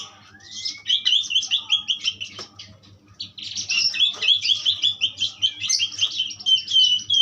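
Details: Asian pied starling opening with a long rising whistle, then rapid scratchy, rhythmic chatter in two loud sustained runs separated by a brief pause.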